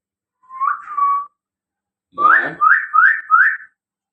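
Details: Talking common hill myna kept as a pet, one of a pair offered for sale: a rising whistle levelling into a steady tone, then a harsh buzzy note followed by three quick rising whistles in a row.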